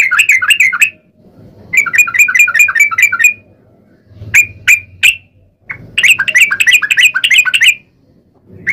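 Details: Lively trucukan bulbul song used to coax other bulbuls into singing. Rapid, bubbly chatter phrases are broken by pauses and a few loud single chirps, and the last burst is a dense rolling run.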